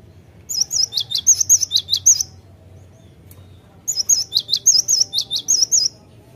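A Cinereous Tit sings two bursts of about eight quick, bright whistled notes, alternating wavy and falling phrases, with a short pause between bursts against a quiet background.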